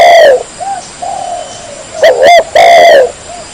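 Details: Spotted dove, a first-prize bird from a 2018 Vietnamese contest, giving loud, hoarse, low coos: a falling opening note, softer short hoots, then two strong, drawn-out coos near the end, recorded close and heavily overloaded.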